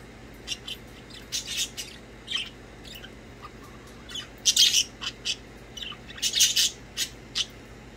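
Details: Budgerigars chirping and playing indoors, a lively chatter: rapid strings of high, scratchy chirps and squawky notes, loudest in two dense bursts around four and a half and six and a half seconds.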